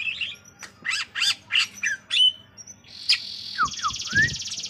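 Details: Varied song of a greater green leafbird: rapid scratchy chirp bursts, a clear whistled note, then a long rattling buzzy trill with a few slurred whistles dropping in pitch.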